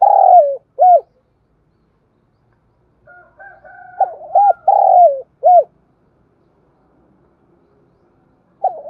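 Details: Decoy spotted dove cooing to draw and provoke wild birds in daily lure practice; a long falling coo and an arched note, soft churring, then a repeat of arched coos and a drawn-out coo, with another phrase beginning at the end.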